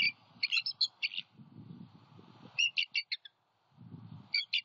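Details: Male and female bald eagles call at their Southwest Florida nest on a January 2021 night, after an owl again struck the male. Three clusters of sharp, squeaky chattering notes are separated by low rumbling noise.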